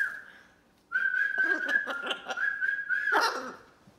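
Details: Pet macaw offering a friendly greeting: a loud, steady whistled tone held for about two seconds, broken by raspy, speech-like bursts, then ending in a harsher squawky syllable.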